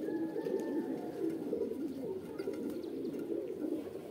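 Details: A brief stretch of pigeons cooing in soft, rolling, overlapping notes. A faint steady high whine runs through the opening second.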